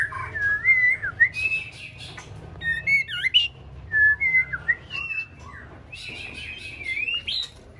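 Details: A young white-rumped shama, six months old, practises singing with a string of rich whistles and quick twittering phrases, some rising and some falling, broken by brief gaps, with faint low hum beneath.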